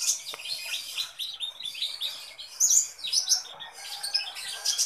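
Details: Kolibri ninja sunbird singing actively and persistently: a dense, high-pitched twittering of quick thin chirps and trills that runs without pause and rises and falls in loudness, with a few louder sharp bursts near the middle.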